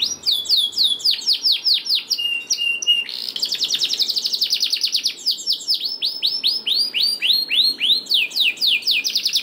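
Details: Canary song played as a lure to prompt lazy canaries to sing: long rapid trills of downward-sweeping notes between 2 and 6k, shifting into fast buzzy rolls and a brief steady whistle, with barely a pause.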